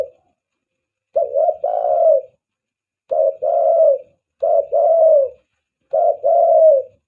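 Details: Spotted dove lure call: four evenly spaced cooing phrases, each a short clipped note followed by a longer throaty coo, coming roughly every one and a half seconds in a quiet setting.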